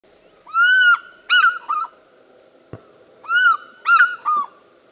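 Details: An African fish eagle throws back its head and gives its ringing, yelping call twice: a long, clear first note, then two shorter ones, over a faint low hum and a single click.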